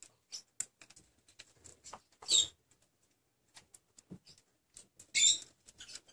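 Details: Yellow parrotlet, female, in a sudden temper while eating: two sharp, harsh, very high squawks about three seconds apart, with soft clicks and rustling in between.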